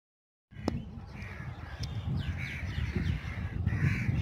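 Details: A murmuration of rosy starlings at Bhuj, Kutch, gives overlapping harsh, grating chatter and squawks, rising and falling in waves over a low rumble of wind.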